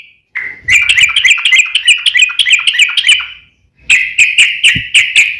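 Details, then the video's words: Yellow-vented bulbul giving a long, fast fighting song meant to lure other bulbuls into replying: a dense, bubbly chatter of quick chirps for about three seconds, a brief silence, then another rapid burst of bright notes. "KICAU SUARA trucukan gacor TARUNG ROPEL PANJANG"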